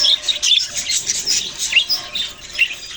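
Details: Budgerigars, Australian parrots, give quick high chirps and short upward-sweeping squeaks in a lively, uneven chatter.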